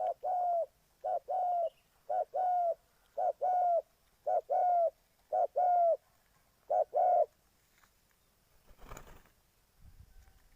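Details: Spotted dove from Ninh Thuận, Vietnam, its voice used as a lure for trapping wild doves. Seven evenly spaced, low, hollow coos arrive about once per second, followed by a burst of rustling noise.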